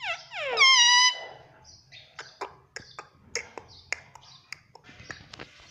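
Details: Pet Indian ringneck parakeet asking for roti opens with a clear, steeply rising then level tonal note, followed by a scatter of soft clicks and brief chirpy syllables.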